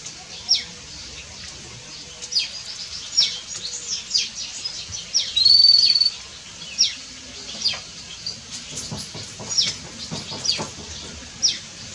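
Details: House sparrows give short, sharp chirps, mostly spaced about a second apart, with a brief steady whistled tone midway and a low hum throughout.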